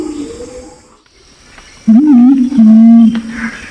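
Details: Pinon's imperial pigeon male and female lure call from Nabire, Papua, Indonesia: after near quiet, a loud, low hum bends up and down, then holds a steady deep tone for half a second.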